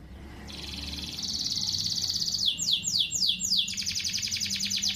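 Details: Canary song used as a simple lure for training other birds: high rapid trills and chattering rolls, then a series of descending sweeping notes and a fast buzzy trill, over low background hum.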